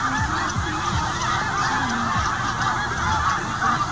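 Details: Migrating snow goose flock, adults with young hatched this year in the Arctic, stopping on the southward journey at a small town. Continuous overlapping honks form a thick clamour, with scattered lower nasal calls standing out.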